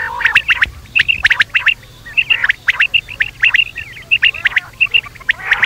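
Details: Quail at night: rapid clicking notes interleaved with paired clear, whistled dots, repeated in a steady rhythm.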